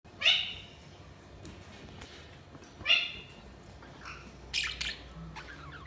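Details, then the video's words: Budgerigars chirping: a few sharp, bright chirps spaced about every two and a half seconds, then a quick pair of harsher squawky notes and soft warbling chatter near the end. "Budgies Chirping sound"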